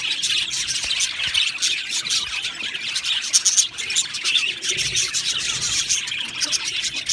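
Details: Colony of pet budgies in an aviary producing steady, busy chirping, rapid high twitters and brief squawks layered densely, with occasional louder bursts rising out of the flock's chatter.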